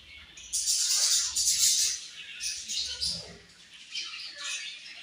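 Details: Budgerigars give a loud, hissy wash of overlapping high chirps and squawks that swells and then fades, with rustling noise below.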